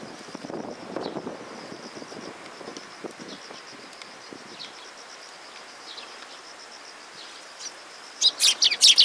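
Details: Sparrows arriving to be fed at Mizukami Bridge on 6 September 2022. Faint distant chirping runs throughout, then a burst of loud, rapid, high chirps closes the last second.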